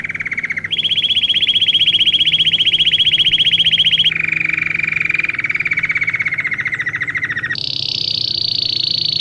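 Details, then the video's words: Belgian canary song for teaching canaries: a succession of rapid trill tours, a low one, a loud higher one, a lower rolling one, then a high buzzy phrase. "Canto para ensinar canário belga,Canto treinar canário belga."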